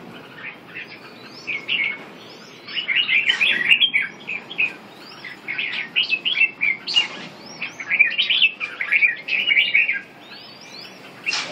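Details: Red-whiskered bulbul song: bursts of bright, warbled chirps and short up-and-down whistled phrases, quick and irregular, with brief pauses between groups of notes.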